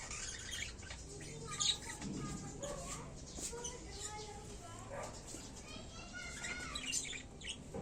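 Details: Newly paired budgerigars chattering with busy warbles, chirps and short whistled notes, a voice murmuring underneath.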